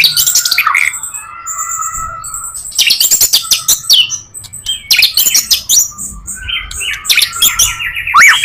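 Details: White-rumped shama in full varied song, used as a lure for other shamas: long level whistles, then dense bursts of harsh chattering and sharp high notes, loud and close.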